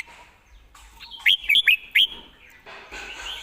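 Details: Red-whiskered bulbul perched and singing in a relaxed way, praised for good phrasing and a quick delivery: one short burst of four loud, clear whistled notes, sharply rising and falling, over a faint background hum.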